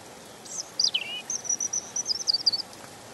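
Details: European robin song: a thin, high phrase of dropping notes followed by a rippling series of quick, sweet twitters.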